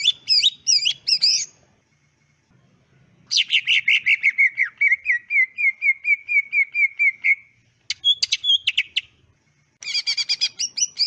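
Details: Clean greater green leafbird song for training other leafbirds: buzzy chattering bursts, then a four-second stream of rapid whistled notes slowly falling in pitch, more harsh chatter, and a closing rattling phrase.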